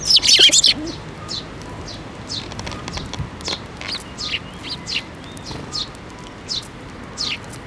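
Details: Eurasian tree sparrows gathering to be fed at a Tenmangu shrine in Japan on 7 May 2024, with the year's first fledgling. A loud burst of chirps opens, then short high chirps follow rapidly and irregularly over a faint steady background hum.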